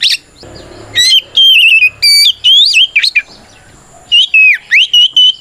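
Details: Oriental magpie-robin in aggressive full song meant to draw a reply from another kacer; loud whistled phrases with trills and slides, a quiet gap of about a second, then four more ringing whistles.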